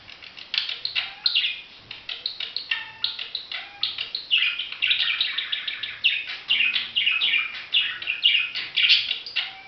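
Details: Budgerigars chattering continuously, a dense stream of short high chirps, warbles and squeaky notes overlapping one another throughout, with no other clear sounds.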